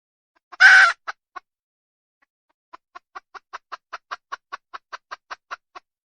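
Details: Wild junglefowl hen opening with a loud, coarse squawk and two clucks. After a pause comes a long, steady run of about fifteen short clucks, evenly spaced, roughly five per second and growing slightly louder.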